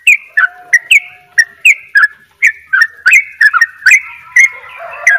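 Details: Bali-type yellow-vented bulbul in energetic 'dobel ropel' song: sharp, bright chirps at an uneven quick pace, some paired, with a soft low whistle early on and a brief lower warble at the end.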